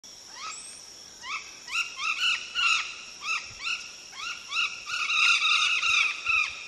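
Golden parakeet giving harsh, rising-and-falling squawks, several per second in ragged bursts, with overlapping calls suggesting more than one bird.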